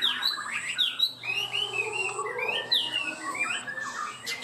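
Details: Caged Chinese hwamei, described as singing high and elaborate and quick, steady to start, delivers a rich, varied run of loud whistled phrases that slur up and down, with a faint steady high tone and low hum in the room.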